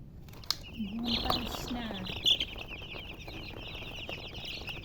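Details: Chicks chirp in a busy run of high, quick peeps while a lower drawn-out voice-like sound and some rustling pass early on.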